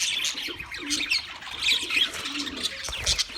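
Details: Wild budgerigars chattering together: overlapping high chirps, short squeaky twitters and warbles fill the whole stretch, with a faint low coo in the background.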